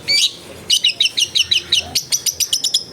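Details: Long-tailed shrike tutor song for prompting a silent bird, recorded at a home in a crowded neighbourhood: a harsh high note, then a quick run of about fourteen sharp, clipped chirps in steady rhythm, some with a faint low noise underneath.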